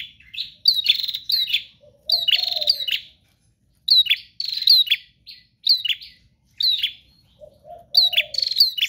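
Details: Prinia 'gacor' song without breaks: clipped, bright chirp phrases in tight clusters separated by short gaps, plus two low murmuring coos in the background.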